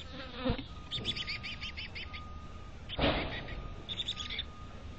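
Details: A chickadee at a nest box in North Vancouver gives a quick run of six or seven buzzy, harsh notes, then a shorter burst, among soft thumps and a steady high electrical whine.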